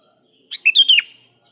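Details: Sooty-headed bulbul challenging a rival with one phrase: a short sharp opening note, then a liquid rising-and-falling run ending in a downward slur.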